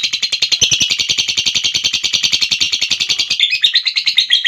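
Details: Long ngekek trill from a lovebird, a shrill, fast-pulsed chatter held steadily for over three seconds, then shifting into a slightly lower, rougher run of notes at the end.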